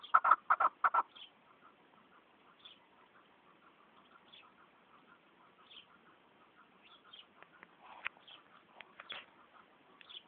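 A chukar opens with a quick burst of five or six loud, harsh clucking notes, then softer scattered clucks and chatter, with another louder flurry near the end.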